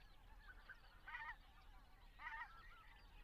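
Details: Greater white-fronted geese recorded in flight while migrating through Estonia, where they stop 3-4 weeks, on their way to Arctic breeding grounds: two short, nasal honking calls about a second apart over a low steady rumble.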